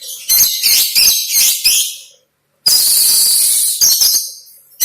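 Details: Kacer, the oriental magpie-robin, giving song packed with lovebird imitations for training songbirds: rapid harsh high chattering bursts, a brief silence, then a long continuous shrill buzzy chatter that fades out.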